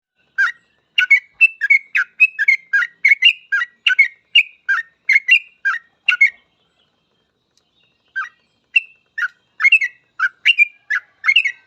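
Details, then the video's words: Sooty-headed bulbul in lively 'full ropel' song, used as a master recording for training other bulbuls: a rapid series of short, bubbly whistled notes, a pause near the middle, then another burst of notes. "Suara trucukan gacor full ropel ini cocok banget buat masteran trucuk agar cepat ikut ropel"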